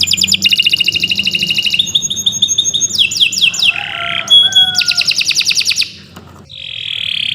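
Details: Kenari Nusantara canary singing a long tutoring song for silent birds, with rapid rattling trills, clear piping notes and lower slurred whistles, then a brief drop in volume before a steady buzzy phrase.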